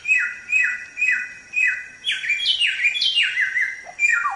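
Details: Training song of a Samyong, vigorous and loud: a steady series of sharply down-slurred whistles, about two per second, merging into overlapping buzzy swoops before a final falling note.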